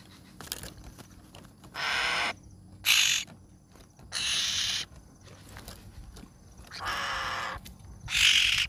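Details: Young hill myna giving loud, hoarse screeching calls, used to lure wild birds; broad raspy bursts of around half a second, spaced one to two seconds apart, background otherwise still.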